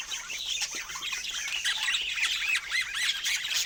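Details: Pet budgerigars among other parrots: harsh squawks mixed with short arched chirps, repeated rapidly at nearly two per second, over a busy background of high twittering.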